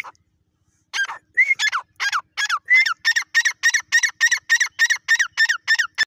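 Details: Grey francolin, known locally as Irani dakhni teetar, after a brief pause: a fast, strident run of repeated harsh double notes, about three per second, growing steadier toward the end.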